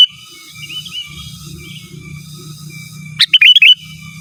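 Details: Natural song of a sooty-headed bulbul calling out rivals: a steady low hum and faint notes for three seconds, then one loud quick phrase of a sharp note and several bouncing whistles.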